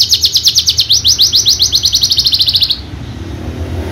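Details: A Horsfield's bushlark (javanica) from the contest circuit rattles off a fast run of high upslurred chirps for nearly three seconds, then stops, leaving quiet background hum.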